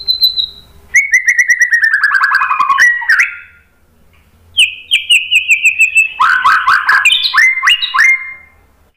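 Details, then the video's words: Shama lure song: a high thin whistle, then a quick descending series of repeated chirps, a pause, and a varied burst of whistled and buzzy notes at shifting pitches. "KICAUAN MURAI BATU memancing BUNYI jadi NYAUT GACOR NGEPLONG BONGKAR ISIAN"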